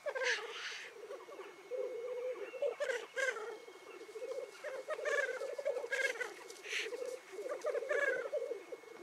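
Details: Black grouse lekking on a morning in the Cairngorms National Park, displaying, calling and fighting: a steady low bubbling coo runs throughout, broken by several sharp hissing sneezes and short higher rasping notes.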